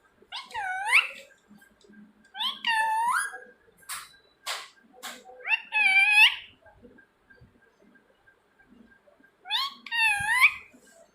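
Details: Ring-necked parakeet repeating harsh, ringing screeches every two to four seconds. Sharp clicks and taps sound between the calls, with faint background noise.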